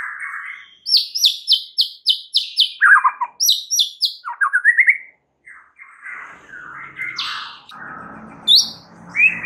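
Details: White-rumped shama song used as a lure to stir other birds: a rapid string of high chips, descending slurs, rising whistled notes, then harsher buzzy phrases and a final high note.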